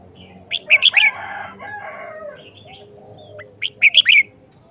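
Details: Red-whiskered bulbul showing off its short song phrases: a fast, bubbly burst of four whistled notes with a brief harsh rustle after it, then a softer note and a matching four-note phrase about three seconds later.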